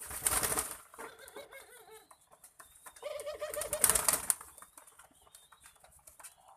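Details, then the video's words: Barbary doves at a cooing contest give wavy, looping low coos in two bursts, each a quick string of rolling notes, amid loud rustling and crowd-like noise. "Sabung burung puter"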